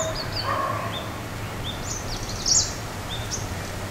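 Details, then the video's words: Male Kashmir Flycatcher calling at Ooty, Tamil Nadu, India, giving single-note tui calls and metallic chirps: several brief, thin, high whistled notes scattered through the clip, a sharper chirp near the middle, over a steady background hiss. "Kashmir Flyctcher - Call"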